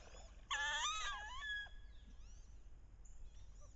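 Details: Wood duck hen's loud vocalization during the late-October mating ritual on a bayou, paired birds chasing and posturing; one strained, wavering squeal lasting about a second, sliding downward at the end, then faint chirps and twitters.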